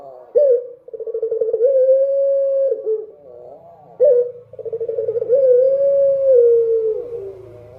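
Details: Dove singing at night. Two long phrases open with a sharp note and a rapid pulsing flutter, then glide into a smooth, held coo that bends down at the end. A soft low rumble runs beneath.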